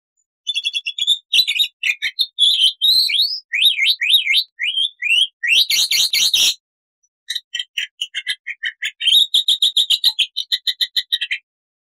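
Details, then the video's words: Black-winged starling in energetic, full-variation gacor song, a master training recording: rapid loud chattering notes, then sweeping whistled slurs repeated in quick runs, a harsh noisy burst midway, a brief pause, and more fast clipped chatter. "MASTERAN JALAK PUTIH GACOR FULL ISIAN"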